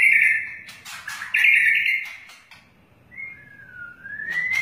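White-rumped shama singing loud, clear whistled phrases: long held notes, then a falling glide and a rising slur, with brief pauses between.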